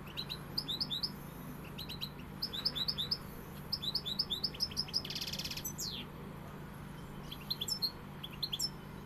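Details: European goldfinch song, pegada style: bursts of bright, liquid twitters in rapid repeated groups, with a buzzy rasping note near the middle and sparser chirps toward the end, over a faint low hum.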